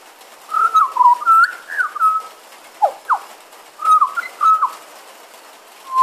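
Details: Pied butcherbird perched on a porch during rain, mimicking other animals such as magpies, koels, babblers and dogs; a run of clear whistled notes, some sliding up and down, in short phrases with two sharp rising whistles midway.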